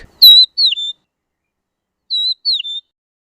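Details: A southern African rufous-naped lark gives a clear, slurred, high, plaintive three-note whistle, repeated once about two seconds later; otherwise quiet.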